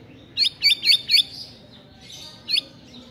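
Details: White-rumped shama bait sound for provoking a lazy bird into singing, with spicy, dense 'shot' material: four quick high looping whistled notes in a row, a soft pause, then one more loop, over a low background murmur.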